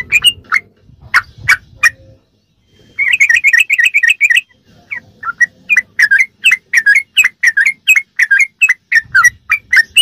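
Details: Sooty-headed bulbul singing in the rapid ropelan style, a recording used as a tutor to train captive birds. Short sharp notes at first, then a pause and a fast run of bright chirps repeated several times a second, with faint low rumbling underneath.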